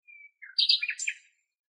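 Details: A common nightingale singing in Greek nature gives a single phrase: one thin, steady whistle, a short pause, then a rich, fast jumble of high chirps and rattling notes, with no other sounds.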